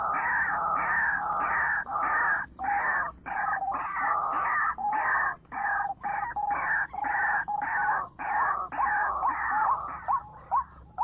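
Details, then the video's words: White-breasted waterhen at 7 in the morning, played to lure birds: loud repeated harsh bursts with brief gaps, ending in quick rising squeaky notes, over a constant low hum. "pikat burung ruak ruak jam 7 pagi"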